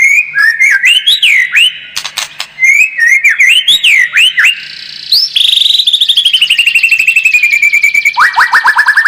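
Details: White-rumped shama song for provoking a bird into a fighting mood: varied looping whistles and sharp clicks, then a long, very fast rattle of repeated notes sliding gradually lower, ending in a quick descending series.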